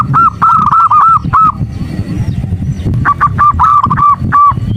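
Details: Calling female zebra dove trying to rouse a male: a burst of rapid level notes, a gap with low background noise, then another run of quick repeated notes.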